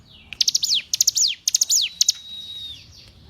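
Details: Hill prinia song from a recording used to train captive songbirds: three quick high phrases, each a cluster of sharp notes ending in a falling sweep, then a long steady thin whistle fading out.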